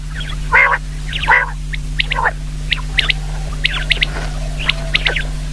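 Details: Common quail calling: sharp, high three-note phrases roughly once a second, preceded by a few lower, nasal, harmonic calls at the start, over a steady low hum.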